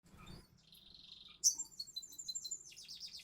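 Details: Crimson sunbird singing in the gacor konslet ngobra style: soft thin notes at first, then from mid-clip a loud, very high chattering run of rapid sharp twitters and trills.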